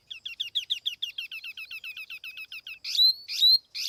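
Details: Clean lure-bird recording of a tiểu mi laughingthrush: a long rapid series of short chirped notes, about five per second, followed by three loud, piercing rising whistles.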